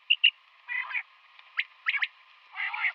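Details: Female common quail calling in the morning: two high pips, a harsh buzzy burst, a few sharp clicks, then another rough buzzy burst over a faint hum.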